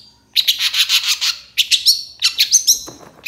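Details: Long-tailed shrike singing to provoke other shrikes: a burst of rapid harsh, buzzy notes repeated about six times, then a pause and a second run of harsh notes mixed with short clear whistles, all high-pitched.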